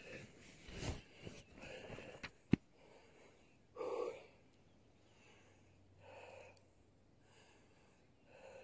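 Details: Angry male western capercaillie in display, attacking, in moss and heather in May: scattered dry clicks, one sharp pop, then breathy, wheezing scrapes returning every two seconds or so, with faint background hiss.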